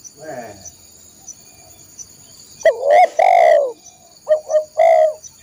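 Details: Spotted dove phrase meant for training caged birds: after faint background rustle, a sharp opening coo and a long purring coo, then two short soft notes and a final swelling coo; steady high-pitched tone behind.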